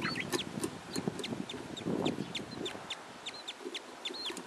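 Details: Pet budgerigar hen with her three chicks, giving faint, thin, high chirps and short whistled squeaks scattered throughout. A steady rumbling, hissing household noise covers the background, with soft low knocks.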